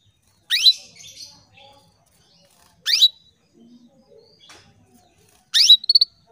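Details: A female canary calls to males, used as a lure to excite singing males. Three brief, bright upward-sweeping chirps about two and a half seconds apart, the last ending in a quick stutter, with quiet background twitters between.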